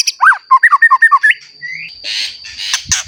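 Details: White-rumped shama in full song, used to provoke other shamas into singing: a quick run of about eight bouncing whistled notes, a rising whistle, then harsh noisy bursts, over a steady high electronic whine.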